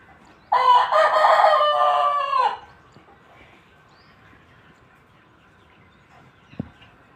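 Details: Aseel rooster giving one strong, hoarse crow lasting about two seconds, rich and harmonic, followed by near silence and a single soft knock toward the end.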